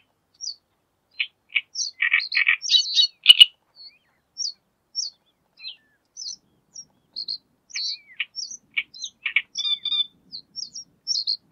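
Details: Great reed warbler in courtship display, singing a long run of harsh, croaking grating notes mixed with short high squeaky whistles, uneven phrases with brief pauses, a dense churring burst near the middle, clear against a quiet background.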